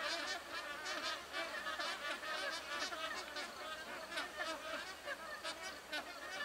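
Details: Magpie geese perched in trees, a flock keeping up a busy chorus of overlapping honking calls, nasal and harmonic, with constant chattering and no real pauses.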